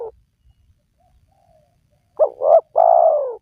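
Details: Spotted dove cooing, used to coax silent wild doves into calling. A quiet stretch, then a single phrase: two short, rounded notes followed by a longer, slowly falling coo.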